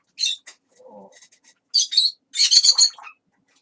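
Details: A pet parrot chatters in a long talking session: crisp hissing syllables, a soft murmured low passage, then two louder bursts of raspy, word-like sounds.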